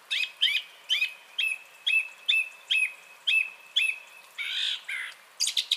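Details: Song thrush song from 30 January 2021, a clear whistled note with a sharp start repeated about ten times at a steady pace of roughly two per second, then a harsher chattering phrase and bright high notes.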